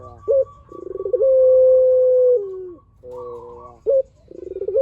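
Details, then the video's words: Spotted dove giving long coos as a lure to draw replies: a quick rising note, a buzzy lead-in, one long steady coo sliding down at its end, then a rough layered phrase and another short rising note. "PUTER GACOR SUARA PANJANG"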